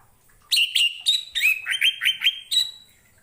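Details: Orange-headed thrush singing as a training model for other birds: a lively run of about nine clear, fluty whistled notes, several sliding slightly upward, delivered quickly over two seconds with crisp starts.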